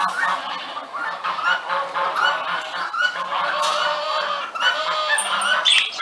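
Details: Early-morning geese making a racket, loud nasal honks repeated in overlapping bursts by multiple birds, some calls rising in pitch.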